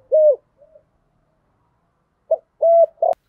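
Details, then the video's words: Spotted dove decoy cooing, thổ thúc style, used to lure wild doves: a low hollow coo, a faint soft note, then after a long pause a short note, a level drawn coo and a final clipped note, with no other sounds. "tiếng chim cu gáy giọng thổ thúc gù gáy gọi đủ bài giúp bổi nhanh nổi"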